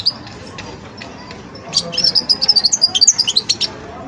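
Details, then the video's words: European goldfinch youngster working through its song-learning stage: after a quiet start, a fast, rhythmic run of high tinkling twitters, about two per second at first and then quicker, over a faint hum. "جان مقنين ويداني في مرحلة فرز التغريد"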